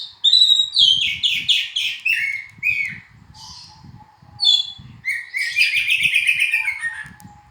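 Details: Black-and-white oriental magpie-robin song: rapid series of rich whistled notes and buzzy trills, phrases repeated in quick succession with short gaps, a faint low whistle sustained beneath.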